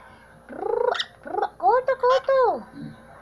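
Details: Amazon parrot talking in a quick run of harmonic, speech-like syllables, some rising and falling, lasting about two seconds indoors.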